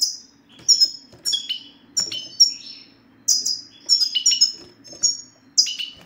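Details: European goldfinch 'sitsita' recording to get a reluctant male singing: lively high chirps and tinkling twitters in bursts every half second, some notes dropping sharply in pitch, light hum underneath.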